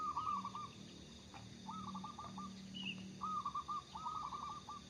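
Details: Local zebra dove in lively song, kept as a lure, gives longer, rolling coo phrases made of many quick notes, separated by pauses. A low steady hum and an occasional high chirp are heard in the background.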